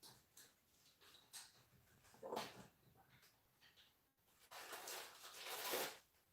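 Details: A 24-year-old pet African grey parrot greets livestream viewers indoors with its favourite word, a drawn-out breathy "hi", heard as two soft broadband bursts in a quiet small room, with faint human speech in the background.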